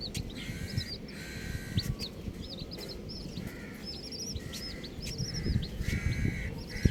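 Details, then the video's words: Baby chickens, colourful chicks, chirping continuously: quick high peeps, often in twos and threes, alongside repeated mid-pitched buzzy tones and a constant low rumble. "Colourful Baby Chickens | Cutie Chicks Chirping Sounds"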